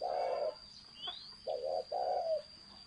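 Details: Spotted dove cooing, thổ sấm style song: a low rounded coo, a gap with a faint rising chirp from another bird, then two more throaty coos back to back; thin constant whine above.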